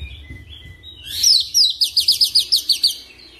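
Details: Oriental magpie-robin lure song for fast rolling singing: after soft whistles, a loud rapid series of about ten sharp, evenly repeated high chirps rolls off in under two seconds.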